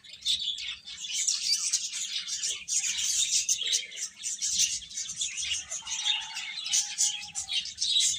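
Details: Young chickens peeping in an unbroken, crowded chorus of shrill chirps, with a lower steady tone appearing faintly after six seconds.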